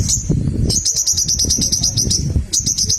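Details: Crimson sunbird in energetic full song, used to provoke rival birds into singing: very high, thin rapid chips in quick trills, broken into several bursts, over low rumbling handling noise.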